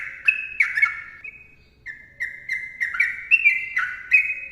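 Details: Sooty-headed bulbul singing in the long, rapid 'ropel panjang' style: dense run of short, fluty, slurred notes, some rising, some falling, with a brief pause mid-phrase and sharp clicks between notes.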